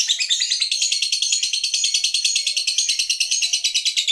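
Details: Fighter lovebird performing the long ngekek: an unbroken stream of quick, shrill, rasping chatter notes, steady and evenly pulsed, about three notes per second.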